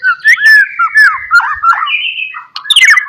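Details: White-rumped shama, known locally as murai batu, singing a lure song meant to provoke rivals: loud, varied whistled phrases sliding between low and higher pitches, with slurred notes and a brief rough burst near the end.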